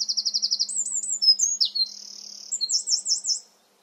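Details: Energetic wren song in a garden setting: quick repeated high notes, darting whistled slides, a long even buzzing trill, then a string of fast up-and-down notes before stopping; a faint low hum underneath.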